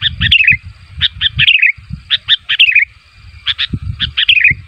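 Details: Sooty-headed bulbul calling so other bulbuls answer: short bright chirps in pairs and triplets, each run ending in a quick wavering, falling warble, repeated about every second over faint low rumble.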